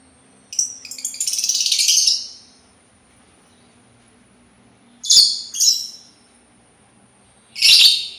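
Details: Sultan tit opening with a long rattling chatter of rapid harsh notes, then, after a silent gap, a few short, scratchy calls in a loose cluster.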